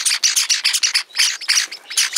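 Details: Java sparrow chicks of several colour varieties (white, silver, sakura) give a busy chorus of harsh, high, raspy chirps, about four or five bursts a second, overlapping with no pause, at evening hand-feeding time.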